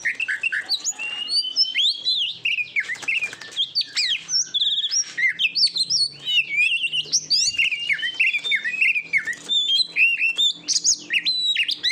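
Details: Oriental magpie-robin, recorded for training competition birds, delivering a long varied song of loud whistles, quick slurs, squeaky notes and chattering runs, with hardly a pause.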